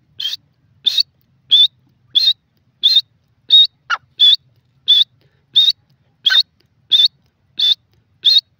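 A grey francolin gives a long run of shrill, high whistled notes, about one every two-thirds of a second, with a couple of lower sliding notes mixed in.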